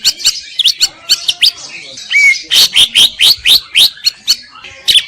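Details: Greater green leafbird singing: chattering notes, a clear upslurred whistle, then a steady series of loud high chips repeated about every third of a second.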